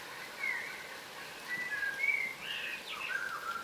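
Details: Several yellow rosellas, a crimson rosella subspecies, forage on the ground, giving thin whistled calls with brief rising and falling slurs, spaced about a second apart, then a busier chatter near the end.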